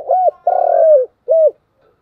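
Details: Spotted dove giving continuous 'thúc gù' cooing: a short hooked coo, a longer throbbing coo that slides down at its end, then another short arched coo, all low and mellow, with a brief pause between.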